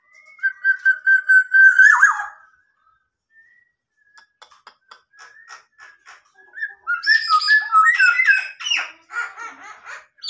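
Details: Local black-naped oriole, tame and very vocal in captivity, imitating a police siren: a long steady whistle ending in a drop, scattered soft clicks, then a dense burst of harsh, rising and falling notes.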